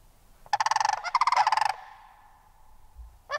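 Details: Sandhill crane calling a long, rolling rattle of rapid pulses lasting over a second, broken by a brief pause midway, then fading, with the start of another burst at the end.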